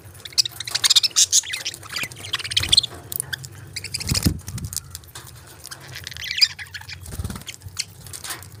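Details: Small budgerigars chirping: scattered thin, high twittering notes come and go in irregular bursts with short quiet gaps, joined by a few faint low thumps and soft rustling.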